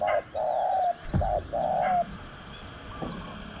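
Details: Spotted dove cooing during a luring session with a caged decoy at spot 14; two loud, steady mid-pitched coo phrases, each with a short lead note, then a softer higher coo near the end over low rural background noise.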